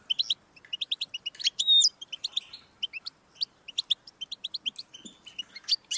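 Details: European goldfinch song for encouraging a caged pet goldfinch to sing: steady rapid twittering with a drawn-out whistled slur near the start and repeated buzzy chirps throughout.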